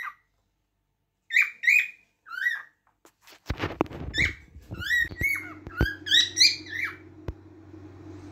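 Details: Cockatiel chirping in quick arched whistles, becoming rapid and overlapping, while sharp knocks and clicks and a steady low hum fill the second half.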